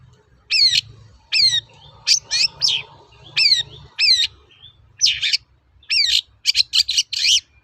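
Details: Long-tailed shrike lure song for training birds to sing: sharp downslurred two-part chirps repeated about once a second, then denser buzzy bursts and quick doubled notes, over low rumbling background.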